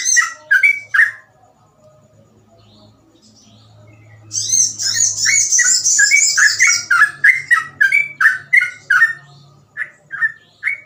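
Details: Sooty-headed bulbul in fast 'ropel' song, intended for tutoring or luring: a few whistled notes, a pause with low hum, then a dense high chattering bird over steady repeated bulbul whistles.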